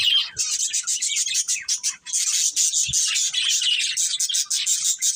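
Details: Budgerigars in a family group keep up a nonstop rapid twitter of high, scratchy chirps and warbles, dense and unbroken, with one brief low thud midway.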